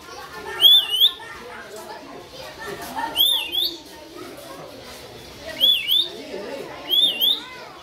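Rainbow lorikeets give four shrill, rolling screeches spaced a second or two apart, over a busy background of chattering that may include people.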